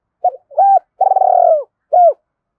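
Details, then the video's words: Spotted dove cooing for decoy stimulation: two short clipped notes, then a long trembling rolled coo ending in a downward slur, and a final rounded hoot, close and clean. "Chim cu gáy kích bổi"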